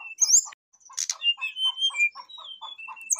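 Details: Brown-chested jungle flycatcher in full song, calling out to a rival: clear level and slurred whistles strung together over a regular run of short low chirps about three per second, with a noisy burst near the start.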